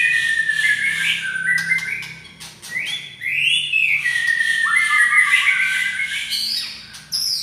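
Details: Medan-type white-rumped shama, a kept songbird in full, energetic voice, meant to coax other birds into singing: an unbroken stream of rich, varied whistled phrases, slurred glides and rapid twittering, with barely a pause over seven seconds.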